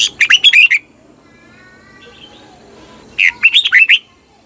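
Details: Thai red-whiskered bulbul song meant to excite caged birds: two bubbling phrases of rapid chirped notes separated by a soft faint background murmur.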